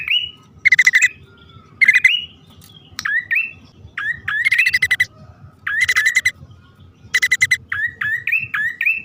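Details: Bar-winged prinias, male and female, calling for a lure: harsh buzzy rattles alternating with short upslurred whistled notes, ending in a quick run of rising whistles, low rumble beneath.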